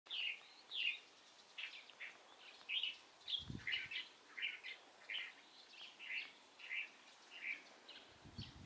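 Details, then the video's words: Light-vented bulbul recorded on 16 April 2023, giving short bright chirps repeated roughly every half to one second, each a quick slurred note, with a brief low thump near the middle. "검은이마 직박구리"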